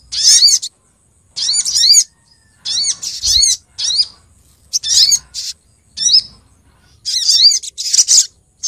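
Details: Female Brown-throated Sunbird lure call aimed at males: short, evenly spaced bursts of high chirps with upward-curving notes, repeated roughly every second with pauses between them.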